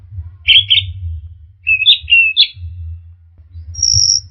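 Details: Orange-headed thrush song meant to stir caged birds to sing: a few rich whistled phrases, then a thin high sustained whistle, with constant low hum throughout.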